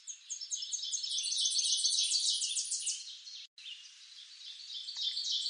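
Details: A Tennessee warbler song from eastern North America: high chips accelerating into a fast trill over steady background hiss, followed by quieter high twitters and a brief dropout.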